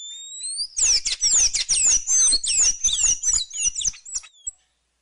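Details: ['Thraupis sayaca song: a thin rising whistle, then a steady run of sharp, high, squeaking twitters about two per second, ending abruptly after four and a half seconds.']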